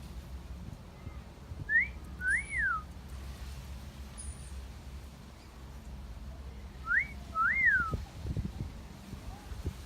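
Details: Garden recording of a pet parrot wolf-whistling twice, several seconds apart. Each whistle is a sharp upward note, then a longer swooping rise and fall. Some low rumbling is heard between them.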